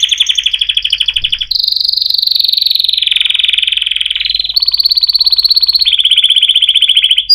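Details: Song canary delivering a chain of fast rolling tours, each a dense buzzy trill held a second or more, shifting up and down in pitch between phrases.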